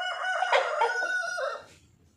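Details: White rooster crowing: a loud harmonic cock-a-doodle-doo of about one and a half seconds, strong and level through the middle, then dropping and fading at the end with faint low rumble after.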